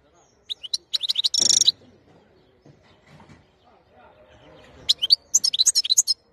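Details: European goldfinch, 2021, singing a fast twittering phrase that ends in a dense buzzy trill. A long quiet pause with faint background murmur follows, then a second run of bright, high chirps.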